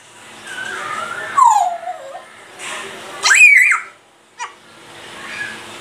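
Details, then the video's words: Grey parrot talking, said to speak phrases such as Allahu Akbar and to cough; smooth whining voice-like sweeps that fall in pitch, then a sharp squeaky rising-and-falling cry, a brief click and a soft final murmur. "grey parrot saying Allahaoakbar,Laillaha illala,Allaha hoo,mian mithoo,mitthu kuta,coughing..."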